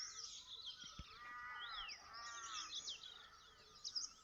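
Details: Several birds chirp at once in a garden in the morning, with high, quick twittering notes over a run of lower, buzzy rising-and-falling calls, against a soft outdoor hum.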